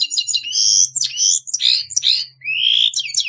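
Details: Carduelis caniceps singing a continuous phrase of loud, tinkling twitters, down-slurred notes and a long rising whistle, fluid and varied.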